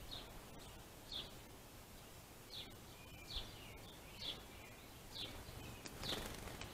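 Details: Finches squabbling at a rich food supply give thin, high chirps, roughly one a second and unevenly spaced, set against a hiss of outdoor background noise.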